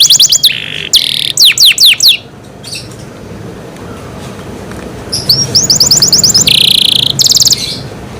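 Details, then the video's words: Pet canary cared for at home, singing in two bursts: quick trilled phrases of falling notes and a buzzy tour, a pause of about three seconds, then rapid repeated notes and a harsh buzzy passage. "canary Nice sound"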